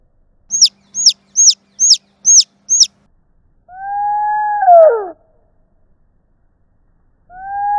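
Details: Domestic baby chick calling for its mother: six high, sharply falling peeps about every third of a second, then the same call slowed down into a long, low, drawn-out descending moan, with another slowed call starting at the end.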